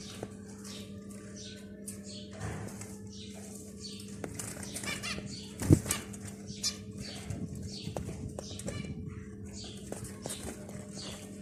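Finch chicks give quick, high, down-slurred chirps in a busy, overlapping stream over a steady low hum.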